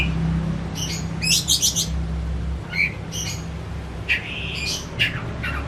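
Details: Caged, home-kept oriental magpie-robin fed crickets and pellets, its song used as a lure to make a silent bird sing: scattered high whistles and rising buzzy notes in short bursts over a steady low hum.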